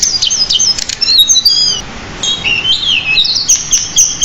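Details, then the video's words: Pied bushchat singing continuously in a tutor recording for cage birds, a varied song with many inserted phrases: high, thin whistled notes and quick slurred trills, falling and rising, interrupted by sharp clicking bursts. "Masteran Burung Decu Gacor Roll. isian Banyak"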